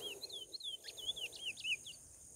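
A chestnut-bellied seed finch sings a quick run of clear, slurred whistles, rising and falling high in pitch, over a steady high hiss or hum.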